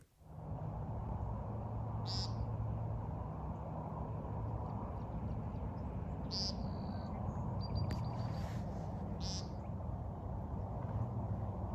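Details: American Woodcock, shown displaying in spring, gives three short, buzzy, nasal peents three to four seconds apart, half-buried under a loud, steady frog chorus.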